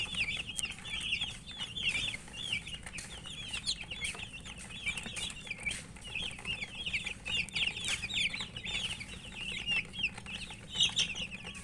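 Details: Feeding chicks give bursts of high, wavering peeps in quick runs, pausing briefly between groups, while pecking clicks sound in the background.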